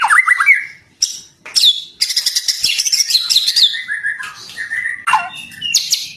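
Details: White-rumped shama song used for training captive birds: a varied run of bright whistles, high buzzy trills and quick chattering notes, with sweeping slurred phrases.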